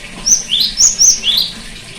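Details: Cinereous tit song meant to restart a silent bird: five crisp, high whistles in a rapid phrase, upslurred notes interleaved with flat piercing ones, then quiet.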